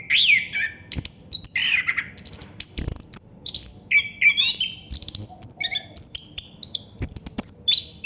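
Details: Rolling 'ngerol' song of a Chestnut-capped thrush: brisk sequences of shrill high notes mixed with rich, slurred mid-pitched whistles and twittering flourishes.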